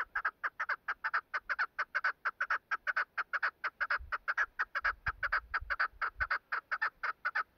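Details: Female chukar partridge calling: a steady series of short, sharp clucking notes repeated about twice per second without pause, with faint low thumps in the background midway.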